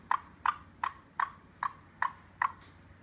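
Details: Pet caique parrot indoors, scheming to get around an orchid pot to reach breakables, gives a laughing call: seven short, clipped, hoarse notes evenly spaced about every 0.4 seconds, with a quiet background hum.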